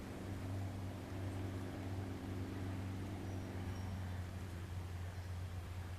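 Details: Steady low engine or boat hum with a drone of even tones, continuous throughout and with no animal calls.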